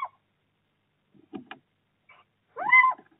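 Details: Little owl pair in Bommelerwaard, 4 March 2024, handing over prey at the start of the breeding season: brief scuffling and rustling, then one clear drawn-out mewing call that rises and falls.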